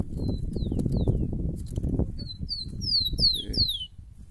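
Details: Tico-tico, the rufous-collared sparrow, in a scene of two males ready to fight: sparse thin descending whistles early, then a louder burst of overlapping high falling slurs near the end, all over heavy low rustling noise.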